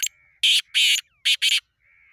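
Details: Black francolin (Francolinus francolinus), call.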